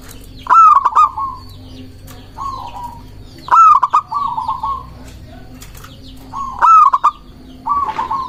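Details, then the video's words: Zebra dove of local stock in song used to lure and provoke rival doves: crisp whistled openings with clicks, each trailed by a purring trill, three phrases roughly every three seconds, a brief flutter near the end. "Perkutut lokal gacor mengundang lawan bunyi 1 menit langsung gacor"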